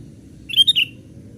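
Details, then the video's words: A single short, slurred whistled call of a young sooty-headed bulbul on branches, used for luring wild birds, three quick linked notes against a low background hum. "Pikat kutilang muda main ranting ▶️ burung liar makin emosi"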